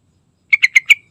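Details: Single short phrase of four liquid, chirping notes from a yellow-vented bulbul in gacor lure song, evenly spaced and ending in a brief trailing whistle.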